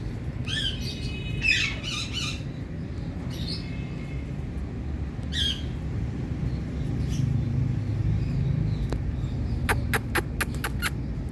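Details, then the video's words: Indian parrot calling: a few harsh, nasal squawks in short bursts in the first half, then quiet, over a constant low rumble of background noise with some sharp clicks near the end. "Indian Parrot Calling"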